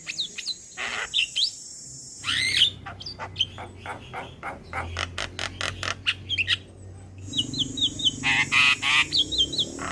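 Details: Male Javan myna calling to its companions, a call used as a lure to attract other mynas. Varied loud chirps, harsh squawks and clicks, with a high buzzy hiss in the opening seconds and a rapid burst of sharp notes midway.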